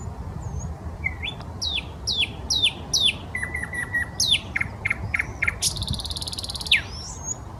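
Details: In a Saint Petersburg park by the Smolenka, a common nightingale sings a series of rising whistled notes. A quick string of level chips follows, then a dense dry rattle and a final thin whistle. Faint low background hum.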